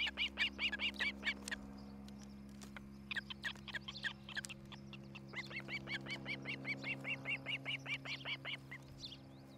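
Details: Nest camera recording from Charlo, Montana, dated 07-11-2018 at about 8:36, of an osprey at the nest. Bursts of rapid, whistled, slurred chirps are broken by short pauses, then a long even series follows, all over a steady low hum.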